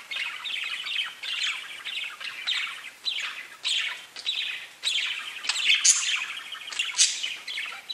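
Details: Pet budgies chatter continuously in high, raspy warbling chirps, overlapping phrases rising and falling with occasional sharper squeaks, nearly no pauses.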